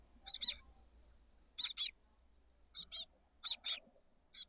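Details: Chestnut-backed chickadee nestlings, 13 days old, in a backyard nest box on the SF Bay south peninsula in late May, give high, scratchy notes in quick pairs about a second apart over a faint low hum.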